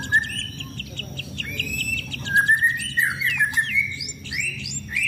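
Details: White-rumped shama kept in a cage and sunbathed to stay fit for contests: short clipped whistles build into bright warbling phrases with quick slurred notes and high sharp accents, singing steadily.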